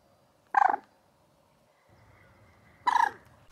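Two loud, harsh, rattling croaks from a Common Moorhen, each about a quarter-second long and roughly two seconds apart, over faint background hum.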